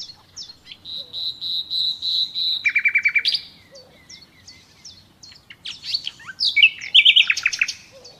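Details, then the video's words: Common nightingale singing: a long run of rapid repeated notes near 4k, then a lower buzzy trill of fast pulses, followed by scattered whistles and sharp ringing phrases; clean background. "Doğal Bülbül Sesi Dinle"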